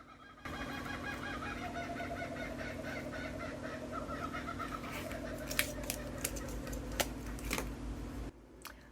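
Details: Kookaburras heard from indoors laugh in a loud, rollicking chorus of rapid, rising and falling cackling hoots that fill the clip, with a few sharp clicks indoors.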